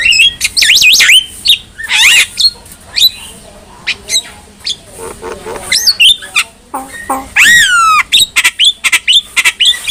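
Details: Javan myna singing a training song for other mynas: bursts of looping whistles, screechy squawks and clicks, then a loud downward-sweeping harsh note followed by fast chatter.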